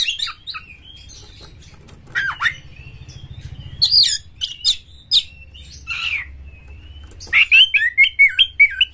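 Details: Champion Oriental magpie-robin in emotional full song, tail opened, to provoke other magpie-robins: scratchy notes and thin whistles over a low hum, ending in a fast rhythmic run of wavering whistled notes.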